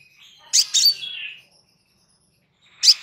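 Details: Crimson sunbird in a relaxed master recording for training birds: a sharp high double chip trailing into a thin descending twitter, then silence and one more piercing chip at the end.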